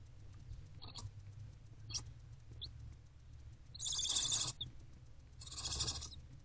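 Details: Hungry barn owlet in a nest box, eating a rodent on 29 February 2024 around 1 pm: two long harsh hissing screeches, each under a second, with a few faint shorter hisses before them over a low background hum.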